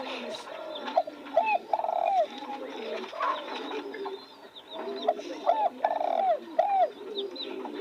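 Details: A spotted dove gives repeated low cooing phrases of a few mellow hoots each, returning after short pauses, while faint background murmur and chatter continue.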